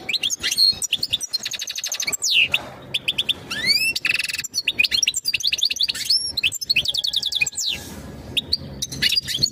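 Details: European goldfinch mating calls that get a female ready to breed: long, animated song of fast twitters, buzzy trills and swooping upslurred whistles in tight clusters, with only momentary breaks.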